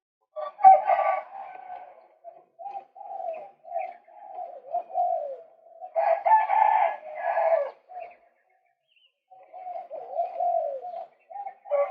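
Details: Male white-breasted waterhen, recorded for luring birds, gives low croaking phrases, two harsh raucous outbursts in the middle, a short silence, and more wavering low calls.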